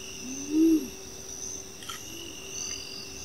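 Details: Striped Owl (Asio clamator) at Las Varillas, Córdoba: a single deep, short hoot, then a fainter echo-like hoot two seconds later, over a steady high chorus of crickets.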